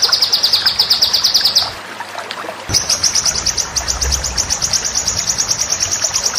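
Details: Master song of white-rumped shama for training contest birds: a fast high trill, a gap of about a second, then another long, steady, rapidly pulsed trill with faint low rumbles beneath.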